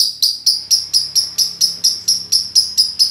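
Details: Lovebird giving a long ngekek chattering song in a minor tone, used as a training lure: harsh, high, buzzy notes repeated about twice per second in an even, unbroken run, with a faint low hum underneath.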